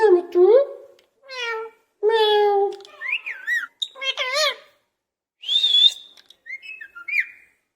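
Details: Parrot in a cage imitating a cat: several drawn-out, nasal, meow-like calls rising and falling in pitch, followed by a harsh squawk and two short whistles.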